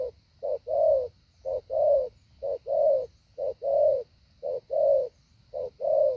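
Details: Spotted dove decoy practicing its structured 'hạ bổi' call: low, slightly buzzy coos alternating short and long, about one each second, clear and close with little else audible.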